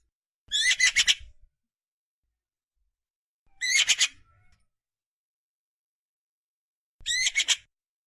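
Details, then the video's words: A Eurasian magpie nestling gives harsh, hoarse, rasping bursts, each about a second long, spaced roughly three seconds apart against silence. "Magpie nestling/Nestling Elstern/ Pisklę sroki SOUND EFFECTS"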